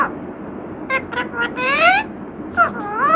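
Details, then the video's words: Pet parrot imitating spoken words: a few soft syllables, then a long rising harmonic phrase and two further arched notes toward the end, partly muffled by background hiss. "बातूनी तोता"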